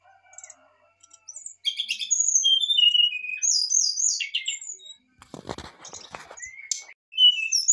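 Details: Excited brown-chested jungle flycatcher song used to provoke a reply: loud whistled phrases falling in pitch with buzzy notes, then a brief clattering noise before whistling resumes.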